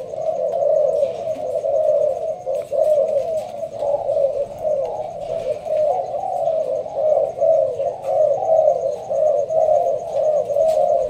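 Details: Spotted dove of Malaysian strain in a leaf-covered blind in Binh Duong, Vietnam, cooing in the slow thúc gù style: a steady run of deep, rounded coo phrases about once a second for over ten seconds, with faint ticking behind.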